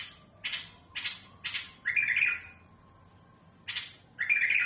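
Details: Mutawwa'a bulbul with a smooth but rough voice, singing for tutoring chicks: three quick clipped notes lead into a long rasping buzzy phrase, then after a pause one more note and another harsh phrase.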